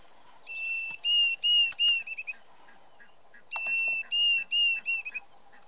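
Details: A Diederik cuckoo at Lower Sabie, Kruger National Park, gives two bursts of clear, high whistled notes, five or six in quick succession each time, over a faint hiss of background noise.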